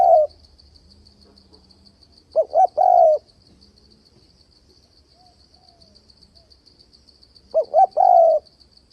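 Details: Decoy spotted dove luring wild doves into traps: the end of one coo, then two spaced phrases of two brief hoots and a long mellow descending note, separated by quiet gaps under a high insect drone.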